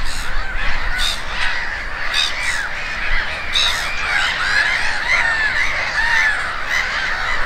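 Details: Several gulls at Konstancin-Jeziorna give a busy chorus of overlapping squawking, laughing cries that rise and fall, set against constant low background rumble.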